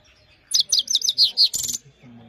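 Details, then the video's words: Clean singing from a Himalayan goldfinch, a brisk sequence of high, slurred chirps with varied pitch, ending in a harsher buzzy note, in quiet surroundings. "The best himalayan gold finch clean voice singing"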